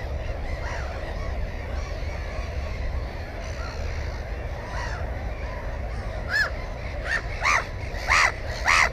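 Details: Black-headed gulls at a nest holding one egg and one chick give harsh, rasping calls, a few fainter early, then louder ones about once a second near the end, over a steady low rumble of wind or water.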